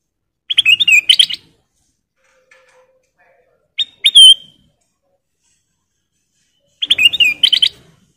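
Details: Golden bulbul (kutilang emas), caged, singing for a training recording: three bursts of rapid, warbling whistled notes, with a clean sliding whistle in the middle burst.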